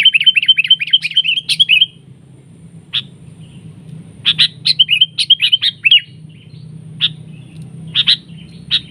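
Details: Sooty-headed bulbul fighting a decoy bird during trapping, trading attacks; rapid run of bright chirpy notes for about two seconds, then scattered sharp chips and short bursts of warbled calls, with a steady low hum beneath.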